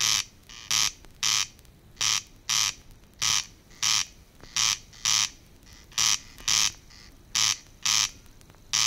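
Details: A corncrake in the water-meadows and coastal pastures of Matsalu (1979 field recording) gives its dry, rasping, buzzy crex-crex, loud paired rasps repeated steadily about every half second to second.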